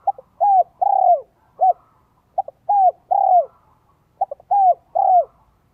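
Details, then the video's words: Lure spotted dove in the 'giọng son, 1 cốt lỡ' voice, meant to provoke wild doves: three loud, clean phrases, each a couple of short notes then a longer descending coo, repeated about every two seconds. "CHIM CU GÁY GIỌNG SON 1 CỐT LỠ KÍCH BỔI NHANH NỔI HIỆU QUẢ NHẤT"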